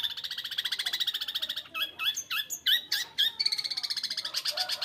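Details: House-kept long-tailed shrike giving a fast, even rattle of harsh repeated notes, broken midway by loud upslurred whistles and chattering phrases, then returning to the rapid rattle.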